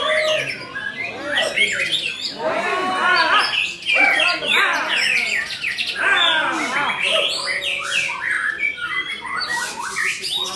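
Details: White-rumped shama, called murai batu, pouring out a long 'full isian' song: bursts of rapid sweeping whistles and chattering trills, loud and unbroken, with high chips between phrases.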